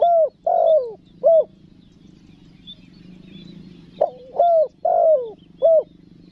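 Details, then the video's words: Tekukur or spotted dove giving its clear luring call, pesom manggil with nekan nguku, meant to draw wild forest doves; two hollow cooing phrases of drawn, down-slurred notes about four seconds apart, steady low background hum between them. "SUARA TEKUKUR PESOM MANGGIL, NEKAN NGUKU"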